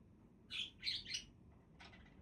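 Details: Budgies giving a short burst of three quick, harsh buzzy chirps, then a fainter chirp after a pause.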